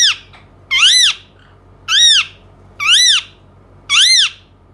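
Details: Indian ringneck parakeet repeating a loud, harsh, arched squawk with strong overtones about once a second, five times in a steady rhythm.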